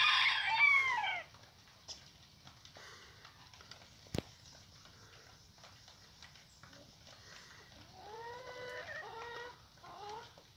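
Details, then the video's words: Rooster crowing: a loud, harmonic-rich call already underway at the start, then a quiet stretch broken by one sharp click, and later a run of short, stacked harmonic notes delivered in quick choppy pulses. "Galo músico cantando"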